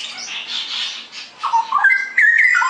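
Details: Straw-headed bulbul in full song: a soft high rushing chatter gives way to loud, clear, fluty whistled notes that step up and down in a bubbling phrase.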